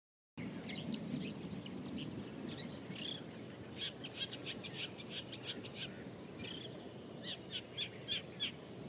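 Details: Long-tailed shrike (Lanius schach) at Lorong Halus on 24 April 2016, giving short, sharp chattering notes in quick irregular bursts, over a steady high insect whine and low background rumble.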